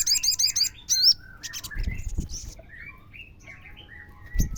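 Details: Crimson sunbird singing as a lure for other sunbirds: an opening cluster of quick, shrill repeated chirps and a rising twitter, then quieter scattered notes over soft background whistles.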